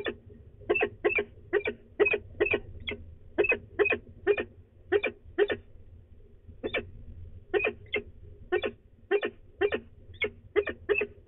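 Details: Female peregrine falcon at De Mortel in the Netherlands, grumbling before leaving, 24 March 2020, about 09:53. Harsh, stacked notes repeat in quick bursts of two to four with short pauses between them. The recording is otherwise quiet, with low hum.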